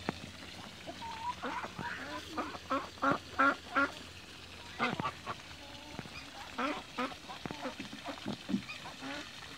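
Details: Backyard group of mature and young Toulouse geese swimming, calling in irregular clusters of short, harsh honks, several voices overlapping, with brief quiet gaps between bursts.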